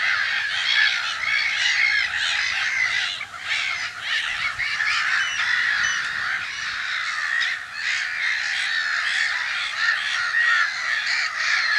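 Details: Black-headed gulls at their nests in spring, filmed from an observatory in Brenne, Berry, France, in mid-March 2012; a dense colony chorus of harsh, grating cries overlaps without pause throughout.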